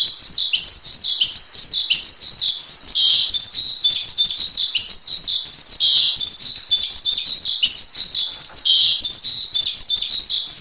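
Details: Training song of a Javan pied starling, a dense unbroken flow of high, warbling whistled notes that jump up and down quickly, loud throughout and with no background sounds.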